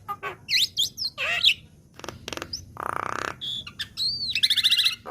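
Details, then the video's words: Black-winged myna (jalak kebo muda, a young bird) in a lure recording: twisting whistles, dry rattles, a harsh buzzy rasp, then a clean whistle and a bright stuttering trill. "Masteran Burung Jalak Kebo Bahan / Jalak Kebo Muda | Pancingan Jalak Kebo"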